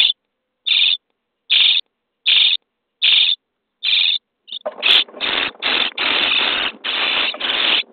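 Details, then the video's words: Common starling nestlings in a nest box on day 23, being fed: harsh, hissing rasps spaced about every 0.8 seconds, then a dense, louder run of overlapping raspy begging bursts. "Szpaki w budce dzień 23 - karmienie piskląt"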